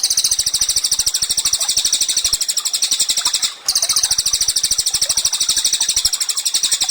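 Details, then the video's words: Tutor song of an active Cililin for training songbirds: nearly unbroken streams of quick, high-pitched chattering notes, interrupted only once by a very short break midway. "CILILIN GACOR, MASTERAN HANDAL UNTUK BURUNG KICAU."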